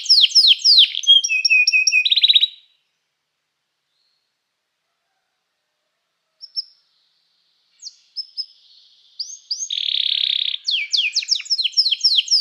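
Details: Canary song used to train canaries and call other canaries to sing: bursts of fast, high, sweeping trilled syllables at the start and end, separated by a silent stretch with a few brief chirps.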